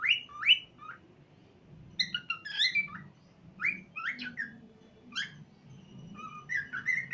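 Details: An 8-month-old happy cockatiel, singing, babbling and playing, gives a string of bright whistled phrases, rising and falling notes with chirpy slurs.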